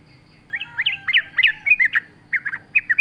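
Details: Sooty-headed bulbul in energetic wild-style song, used as a lure for caged birds: a quick jumble of bright, slurred, warbling notes in loose bursts, with a faint low hum behind.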